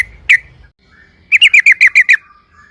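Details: Yellow-vented bulbul giving a loud 'ropel' style lure song meant to make other bulbuls answer: a single sharp note, a pause, then a quick run of seven bright, downslurred chirps at an even pace.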